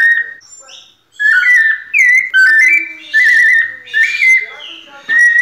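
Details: White-necked thrush in pianado song after a short pause: loud, pure whistled phrases with sliding pitch, repeated in bursts with brief gaps, mostly mid-high and clear.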